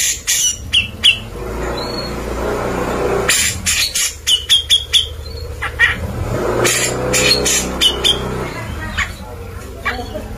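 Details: Actively singing grey-cheeked bulbul, used to train white-rumped shamas: clusters of harsh chattering notes and thin whistled phrases arrive in bursts over a persistent low background rumble.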